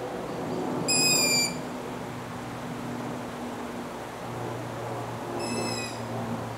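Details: Young long-eared owls in Latvia on 6 July 2018 give two high, squeaky, slightly falling calls like a creaking gate, about four seconds apart, over a steady low hum.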